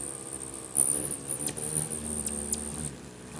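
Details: Hummingbirds fight over territory at a crowded feeder in Bigfork, Montana. Several sharp, high squeaky chirps break out over the constant buzz of many fluttering wings.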